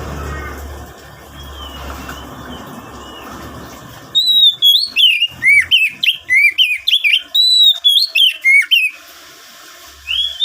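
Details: Oriental magpie-robin in full song, used to lure wild-caught birds into singing: after four seconds of low background hum, a fast run of loud whistled notes sliding up and down, with sharp overtones, then a pause and one more note.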